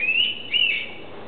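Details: An Indian pitta sitting in a tree at Karnala bird sanctuary near Mumbai gives two clear whistled notes, the first drawn out and rising, the second short and sliding upward, over quiet background hiss.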